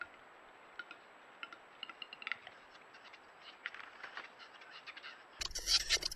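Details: Male western capercaillie (Tetrao urogallus) courtship display in mating season: soft, dry clicks ticking irregularly for about five seconds, ending in a sudden loud, rough burst of sound.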